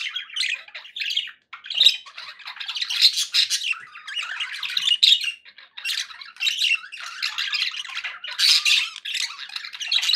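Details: Happy pet budgies chattering together indoors, a steady stream of raspy, high warbles and chirps broken by squawky bursts, with a few short pauses over ten seconds.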